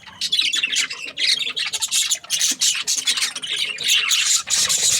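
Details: A group of pet budgies warbling and squawking in quick overlapping phrases, scratchy and high-pitched, with brief dips between rapid chirps.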